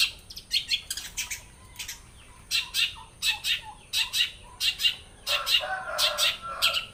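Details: A long-tailed shrike of Blora pours out imitated songs: clusters of high scratchy chirps alternating with lower slurred downward notes, roughly one or two elements a second, and a harsher rasping stretch toward the end.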